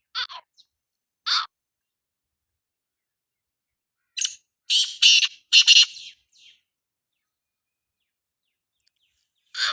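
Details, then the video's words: Black francolin, apparently a kept bird, calling: scattered single harsh rasping notes, then a tight cluster of several loud grating notes in quick succession around the middle, with silence between phrases. "kala tetar ki awaz boli - black francolin voice"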